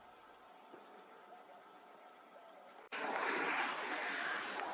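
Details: Steady faint hiss outdoors, broken at about three seconds by a sudden jump to louder broad rushing noise that continues to the end.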